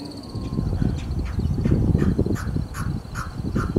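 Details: Male pheasant coucal perched around 8 am, February to late March, Douglas, Townsville, Australia: a quick run of short, rough notes about three a second, over a steady high insect whine and a low background rumble.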